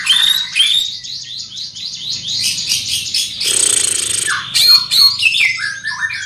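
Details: Large greater green leafbird singing loudly, a jumble of fast high whistles, downward slurred notes and a harsh buzzy burst, with varied chattering phrases.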